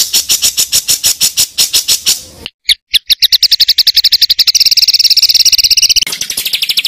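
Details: Songbird master recording in kasaran ngeroll style for training contest birds: a series of harsh, loud, spaced chips, a brief break, then notes speeding into a continuous high rolling trill.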